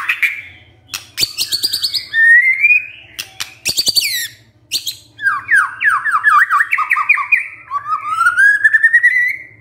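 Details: White-rumped shama (murai batu) recording used as a lure to make birds sing their whole repertoire. Sharp high chips and a rising whistle lead into fast descending warbled notes in series, ending in a smooth upward-sliding trill, over a faint low hum.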